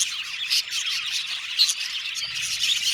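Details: Budgerigars chirping: a busy overlapping chatter of high, rasping notes and short squawks from several birds, with a faint low hum late on.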